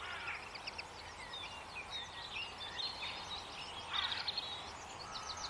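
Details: Several birds chirp and twitter continuously in high, sharp, overlapping notes, with a louder burst of chirps near the end, against a soft background hiss.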